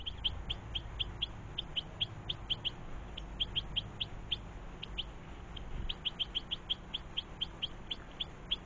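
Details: European goldfinches feeding with young in a garden; loud, insistent high chirps repeated several times a second in long runs, with one brief pause near the middle.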